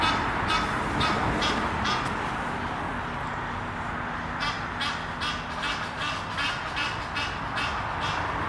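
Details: A pair of Egyptian geese courting up a tree near Henley upon Thames, England: harsh, rasping calls repeated about twice a second through the recording over a steady rushing background.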